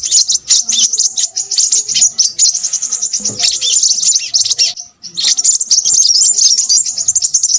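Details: Noisy Crimson sunbird chattering in a fast, continuous stream of very high, thin chips and trills. Near five seconds it breaks off briefly, then resumes just as busily.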